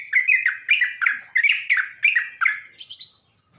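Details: Lure song of a sooty-headed bulbul meant to rouse other bulbuls, a run of short bubbly gurgling phrases, each a quick rise and drop, about three per second, ending in a higher thin note.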